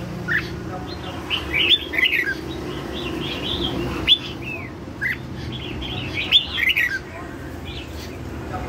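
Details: Red-whiskered bulbul song in the style called lân hầu bò, a run of bright, slurred whistled notes in short bursts with brief gaps, over a low constant background hum.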